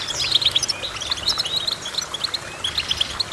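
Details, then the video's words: Bright goldfinch twitter: clear, high, pinging notes repeated in quick clusters over a soft hiss. "Goldfinch Chirping"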